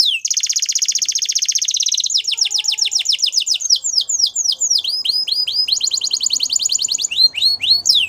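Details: Belgian canary, male, delivering a fast dense trill, then chains of repeated falling sweeps and another bright rolling trill, with swooping notes near the end and a faint low background hum.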